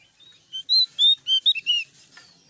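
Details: Javan grey-throated white-eye (opior jawa) in loud song, a brief phrase of five or six high, clear whistled notes, rising and falling slurs, delivered quickly and loudly over near silence.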